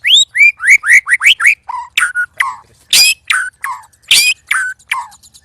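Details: White-rumped shama sparring with two other birds at once, giving loud, strange sounds: rapid rising whistled notes repeated quickly, then harsher buzzy and falling phrases in varied bursts.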